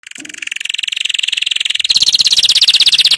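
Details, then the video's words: Canary song intended for tutoring young birds: one continuous, very rapid high trill of rolling pulses, growing louder and stepping slightly higher in pitch partway through. "Chant Canari Super Pour l'écolage des jeunes من أجمل تغاريد طائر الكناري لتسميع الفراخ"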